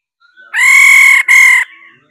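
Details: Female laughingthrush calling to stir males into song, giving two long, loud, harsh nasal notes separated by a brief break, with faint warbling before and after.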